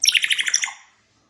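African grey parrot giving a quick burst of about eight bright, high chirps in under a second, then falling silent indoors.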